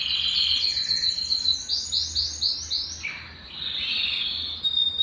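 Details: High, clear trill from a Belgian canary sung to excite males and bring hens into breeding condition, followed by five quick rising-falling swoops, a brief lower dip and a steady rolling trill.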